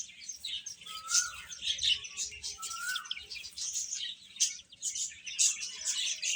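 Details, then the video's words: Feeding chicks produce a busy wash of high-pitched peeps, with two clear, slightly rising whistled calls standing out early on over the chatter. "Beautiful Chicks Chirping Sounds | Baby Hen Eating"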